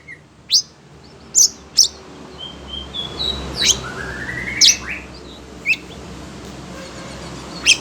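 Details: Kept Oriental magpie-robin, agitated by other birds, gives scattered sharp, very high chips about once a second with occasional soft rising whistles over a steady background hiss.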